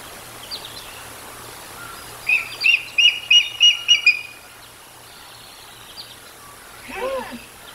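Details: Bald eagles at the Decorah North nest, filmed by a live nature cam on 13 July 2022 at 18:47; a quick series of six high, sharp chirping notes in under two seconds, with faint calls before and after over steady background hiss.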